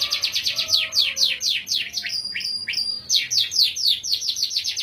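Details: Canary in full song, quick high trilled phrases and sharp repeated notes, roughly two per second in places, melodious and varied.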